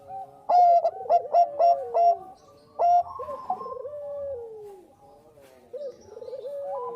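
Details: Bangkok zebra dove in full song as a lure recording: a run of five or six punchy clipped coos, a pause, another coo, then drawn-out descending and rolling phrases as softer doves call underneath.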